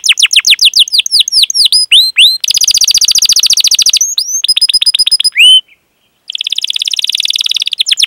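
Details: Domestic canary singing a long lure song for training other canaries, with fast descending whistled sweeps, dense buzzy rolling trills, a brief pause, then another steady high trill.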